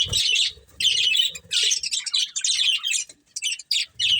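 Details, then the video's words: A breeding pair of budgerigars in rapid scratchy chatter, bursts of warbling squawks broken by short gaps, with faint low rustling beneath. "Cute Budgies Chirping Sounds"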